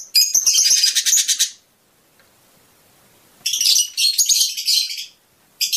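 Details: Chattering Fischer's lovebird, sung to prompt mating: dense, harsh, rapidly pulsed high bursts of about one and a half seconds, separated by a quiet pause.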